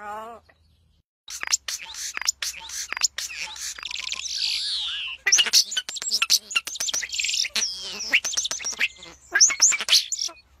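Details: Birds sing in bursts of bright, high chirps and twittering phrases separated by short pauses.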